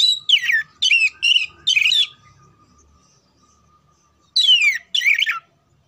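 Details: Oriental magpie-robin singing as therapy for contest birds: a run of four quick, bright falling whistles, a silent gap, then two more swept notes.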